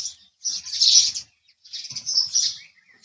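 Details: Two bursts of shrill, overlapping house sparrow chirps, each about a second long, with faint flutter-like low sounds underneath.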